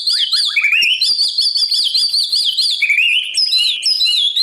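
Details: White-rumped shama morning training song for competition: continuous rich warbling of rapid looping whistles, rising and falling in tight trills without pause.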